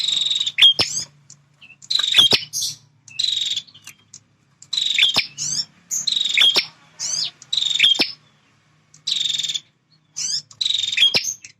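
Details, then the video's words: Territorial male bar-winged prinia in steady song: grating buzzy trills with sharp snapping clicks, roughly every one to one and a half seconds, over a faint low hum. "Suara Prenjak Jantan Super Gacor"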